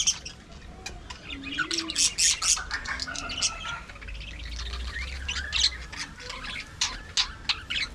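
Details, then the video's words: Aviary colony of budgerigars, described as talking: scratchy squawks and sharp chirps in irregular bursts, several birds calling at once, with a low rumble in the background midway. "budgie parakeet talking"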